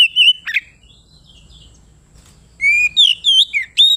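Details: Kacer, the Oriental magpie-robin, in loud 'ngeplong gacor' song meant to call a rival: a whistled note and a sharp slide, a pause, then a fast run of ringing twisting whistles.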